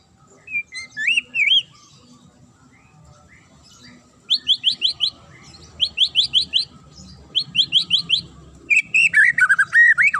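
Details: Provocative sharp magpie-robin song for setting other birds off: an opening slurred whistle, then rapid runs of bright high chirps in groups, ending with tumbling warbled whistles.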